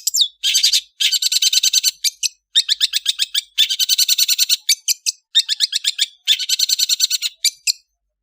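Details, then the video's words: Indonesian long-tailed bird singing melodiously on an afternoon: dense, high-pitched scratchy chattering in rapid bursts of notes, each phrase about a second long, separated by brief pauses, with a few single sharp chips between phrases. "SOUND OF INDONESIAN LONG TAILED BIRDS"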